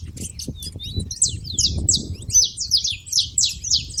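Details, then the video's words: Noisy saffron finches at a feeding spot give a busy run of high, thin chirps and quick downward-sliding notes, calls overlapping from more than one bird, over a soft low background hum. "canário da terra fazendo barulho na seva"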